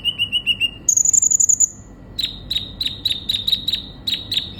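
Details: Sunbird (kolibri ninja) singing actively, meant to draw a konin into song: a few rounded mid-high notes, a quick run of very high notes, then evenly spaced sharp chips repeated about four times a second.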